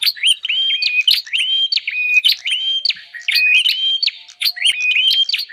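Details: Lure sound of a bar-winged prinia meant to gather wild birds: continuous sequence of bright, rising chirps and a flat sustained whistle, with sharp clicks between them, repeated roughly every half second.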